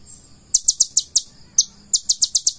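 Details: Purple-throated sunbird song: rapid series of very high, sharp descending ticking notes in two bursts separated by a short pause, over a faint low background hum.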